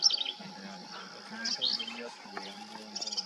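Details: Black-capped vireo (Vireo atricapilla) in Texas, its nesting range, gives its song: quick, high, scratchy warbled phrases about every one and a half seconds, with a man speaking quietly underneath.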